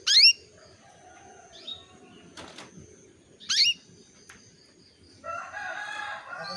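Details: Female canary calling a male, used as a 'pancingan' lure to bring him into breeding condition: two loud, sharp, downward-sweeping chirps a few seconds apart, faint softer notes between, then a scratchy broadband rustle toward the end.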